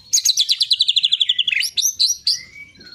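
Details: White-rumped shama song used to prompt other birds to sing: a rapid run of about fifteen repeated high chirps sliding downward, then sharp rising whistled notes and a long falling whistle.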